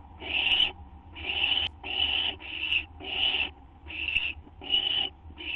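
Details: Owls at a nest just after midnight on 6 September 2011, as a treat is delivered; harsh, breathy hissing bursts about half a second long, repeated roughly every second, over a steady low hum.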